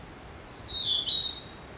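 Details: Narcissus flycatcher singing: one brief high whistled phrase with a slurred, falling sweep, quiet background.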